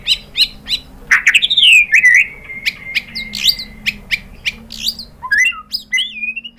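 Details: White-rumped shama, a lively singer used to provoke other birds to sing, pouring out a varied stream of sweet whistles, a long level note, and rapid chattering chips.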